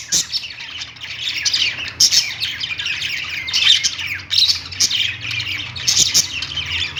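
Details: Budgies chirping on a perch inside a pet store, a crowded mix of bright whistled tweets and rasping squawks, bursts rising and falling irregularly.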